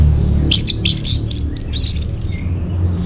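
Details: Lure and master song of the orange-headed thrush for caged birds: a quick run of high, slurred whistles and chattering notes, about two per second, over a deep background hum.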